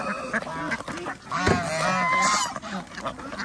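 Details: Ducks being fed on a local farm in Andhra Pradesh, where geese and chickens are also kept: a few drawn-out nasal honking quacks overlapping, with a sharp knock midway.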